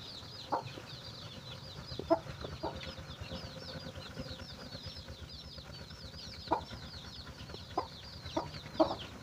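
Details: Chicken finding food for its chicks: scattered short low clucks at irregular intervals beneath constant shrill, falling chick peeps, with some faint rustling.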